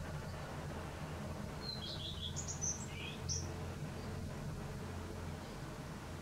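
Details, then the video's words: On an April 2020 morning in western Poland a common redstart gives one song phrase: a high note, a quick warbled run, then a few scattered high and lower chirps, with a prominent low hum throughout. "Common redstart (Phoenicurus phoenicurus) - birdsong - Pleszka zwyczajna"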